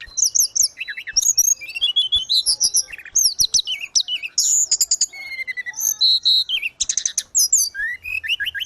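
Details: Caged grey-cheeked bulbul in energetic full song, used to coach other birds of its kind. Rapid jumbled phrases of squeaky high whistles, trills and buzzy chatter, almost continuous, with quick rising and falling notes.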